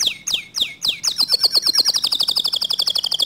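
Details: Canary song said to provoke other canaries into singing: a few sweeping downslurred notes, then a fast, even trill of rapid repeated high notes lasting over two seconds.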